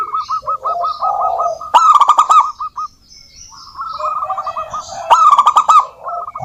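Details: Several local zebra doves singing, for use as a lure: a quick string of curled, bubbling coo notes, interrupted twice by loud rattling bursts, with a short near-silent gap in the middle.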